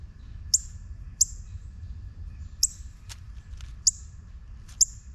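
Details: Juvenile northern cardinal calling in a quick run of five crisp, high, metallic chips, irregularly spaced under a second apart, over a quiet low hum.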